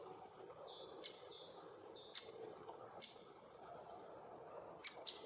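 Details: Great spotted woodpecker, a young male with its mother at a tree hole shared with bees, Puszcza Bydgoska, Bydgoszcz, June–July 2023: a few sharp, abrupt 'kik' calls at irregular intervals; thin high whistles from another bird and a low buzzing hum.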